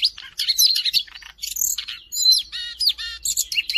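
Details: Song of a Siberian rubythroat kept as a tutor bird, recorded in Jakarta on 5 March 2025: quick high whistles, harsh scratchy bursts and bright slurred notes follow one another almost without a break. A faint low hum sits underneath.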